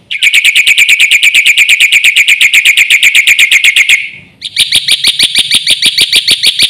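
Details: Black-winged myna in 'gacor full isian' song, used as a training lure for other mynas: a long rapid trill of identical buzzy notes, a short pause, then a higher, ringing series of repeated notes.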